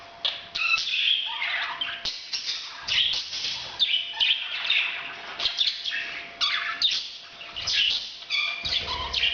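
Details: Parrots, said to be making breeding sounds, chatter nonstop in busy, overlapping bursts of high chirps, warbles and squeaky notes, with no real pause across the whole stretch.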